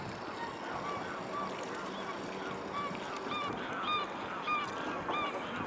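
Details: Mute swan giving short, nasal, honking notes with faint overtones, repeated irregularly about every half second across the clip, some overlapping as if from several birds, above a steady hiss of background noise.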